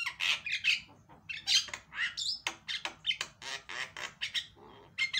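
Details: A Javan myna (jalak kebo) gives a harsh, scratchy chatter of rapid squawks, several per second, broken by a few clear whistled notes, over faint indoor hum; a loud lure recording for silent mynas.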